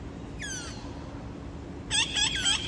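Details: Wild parrots visiting at a window on an August afternoon around 5:20, a scout calling before others join: one harsh descending harmonic squawk, then a quick burst of three grating calls near the end, over steady low hum.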